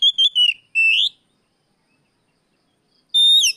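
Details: Oriental magpie-robin singing in the afternoon, a recording used as a lure to train other birds: loud, clear whistled phrases with short warbled notes, a long rising whistle, a pause, then a bright falling whistle. The background is quiet.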